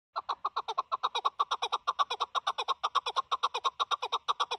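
A Chukar partridge gives a fast, steady run of harsh clucking 'chuk' notes, about six or seven a second, with nothing else heard.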